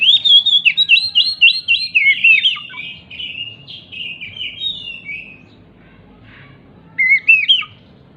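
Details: An agitated, hopping Oriental magpie-robin sings as a lure to get non-singing magpie-robins to answer. It opens with a fast, loud run of varied warbled whistles, slowly fades and trails off, then returns with one short sharp phrase near the end.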